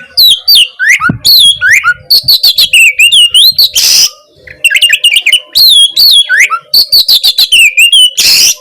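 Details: Long run of vigorous Oriental magpie-robin (Kacer) song, aimed at provoking a silent Kacer to sing. Rapid repeated whistled phrases with sharp upslurs, broken by two loud harsh rasping notes.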